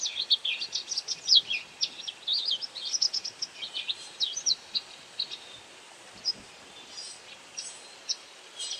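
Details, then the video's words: White wagtail calling while hunting insects: busy run of high twittering chirps in the first half, thinning to scattered single notes later, against soft steady background noise. "ハクセキレイの鳴き声 捕食しながら地鳴き?"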